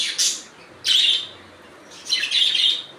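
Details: Natural budgie sounds: three sharp, high, buzzy chirps, each a short downward-sweeping burst, separated by brief near-silent gaps.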